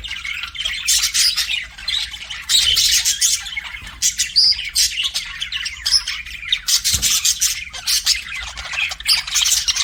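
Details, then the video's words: Pet budgies chatter in a loud, lively stream of harsh squawks and high chirps, several birds overlapping, with a faint low knock around the middle. "CUTE PET BUDGIES"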